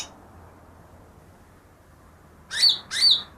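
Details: Recently caught greater green leafbird, reportedly able to imitate ten other birds, gives two loud slurred whistles after a long quiet stretch. Each note dips and then rises.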